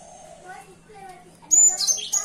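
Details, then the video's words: Morning song of a cinereous tit: after faint, low murmuring sounds, a loud cluster of piercing high-pitched whistled notes breaks in, with several rapid notes repeated close together. "Nyanyian burung gelatik batu di pagi hari"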